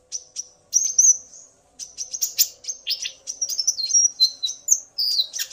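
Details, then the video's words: Male common iora singing, excited by a female's call, with male and female answering each other; bright whistled notes and quick chirps, some sliding downward, delivered in rapid irregular bursts with brief pauses, plus a faint steady low hum. "Burung Konin Pancingan EMOSI agar burung bahan gacor"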